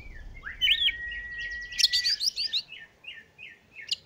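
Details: Oriental magpie-robin song used as a lure to prompt sluggish, lazy birds to sing. A long steady whistle opens under quick rising notes, then runs into a bright burst of varied chirps and trills, ending with fading twitters.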